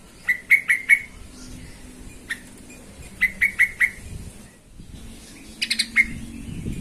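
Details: Sooty-headed bulbul singing in a lure meant to provoke other bulbuls: short runs of four clear, slightly lower whistled notes, a lone note, then another run, over a low hum.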